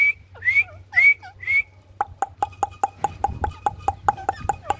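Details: Green parrot calling: a few clear whistled notes that curve up and down, then a fast train of short clicking chirps repeated about five times a second. There is low hum in the background.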